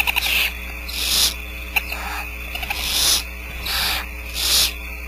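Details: At Starr Ranch, roughly four barn owl chicks beg as the female feeds them: loud, breathy hissing screeches in repeated bursts of about half a second, separated by quieter gaps with faint clicks.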